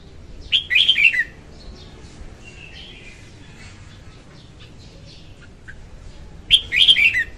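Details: Female red-whiskered bulbul song used to attract birds for trapping: two bright chattering phrases about six seconds apart, with faint softer chirps and low background noise in between.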